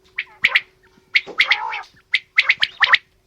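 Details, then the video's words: Female and male quail calling together: sharp, high chirping bursts in quick pairs and triplets, each with a clicky edge, separated by short silences, over a faint steady hum. "Female Batair Calling | Male Batair Sounds | Mix Calling| Batair Ki Awaz | Batair Ki lambi Awazay"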